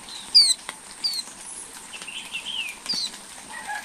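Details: Flowerpecker chicks in their nest, watched by a camera over eleven days as they grow: thin, high, downslurred squeaky notes at about one-second intervals, some fainter warbled notes between, over soft ticking and rustling.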